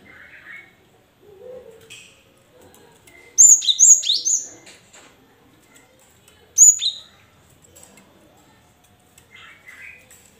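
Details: Cinereous tit song played to prompt lazy caged tits to call back. A loud burst of alternating high and lower whistled notes is followed after a pause by a shorter two-note phrase, with faint softer chirps of other birds around it.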